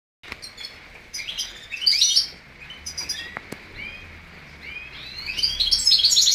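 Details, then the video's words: A male greenfinch × female canary hybrid sings bright, rapid twittering phrases with trills and rising notes, high-pitched and nearly continuous, over a faint background hiss. "Mixto Verderone x Canarina"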